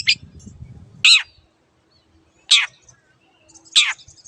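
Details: Long-tailed shrike used as a master recording for caged birds: three loud, rasping, scratchy notes a little over a second apart, with faint low rumbling at the start.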